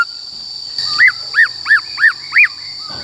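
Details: Black-throated laughingthrush, a caged bird, singing in the forest-voice style used to train wild-caught and young birds: five clear arched whistled notes in quick succession, about three per second, over a steady high hum.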